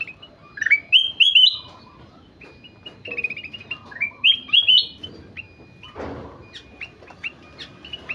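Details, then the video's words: Golden-fronted leafbird, a lively singing bird: varied whistled and chirpy notes, short rising and falling phrases with slurred upswept notes, some repeated in quick groups, with pauses between bursts. "Burung kutilang emas gacor"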